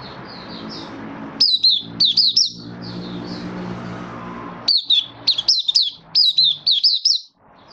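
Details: Malaysian Mata Puteh (Oriental white-eye), a kept bird building condition during minor moult, 24 August 2023. Soft background twitters broken by loud runs of sharp, high, downward-sliding whistles, roughly three to six notes per run, with low hum beneath.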